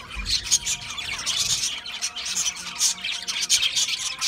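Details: A group of budgerigars at a seed mix chatter loudly with sharp high chirps and grating squawks in quick pulses, a brief low thump near the start.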